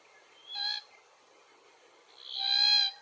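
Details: Glossy black-cockatoo (Calyptorhynchus lathami lathami), one of a family trio in Capertee Valley feeding on Allocasuarina verticillata seeds, gives two drawn-out, nasal, wailing calls about two seconds apart, the second longer and louder, over a quiet background.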